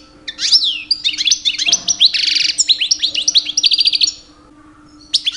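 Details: Male European goldfinch, two years old, singing in the mating season to attract females; lively run of tinkling twitters, a buzzy rasping note and quick rising whistles, ending in a brief silence before a new phrase.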